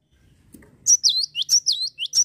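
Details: Java sparrow calls used as a lure to prompt other birds to sing: a quick run of about seven high, sharp notes, each sliding down and then hooking up, packed into roughly one and a half seconds after a faint rustle.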